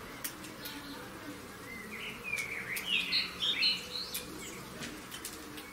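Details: European greenfinch on a balcony giving a short burst of twittering, buzzy chirps that rise and fall over about a second, against a faint steady background hiss.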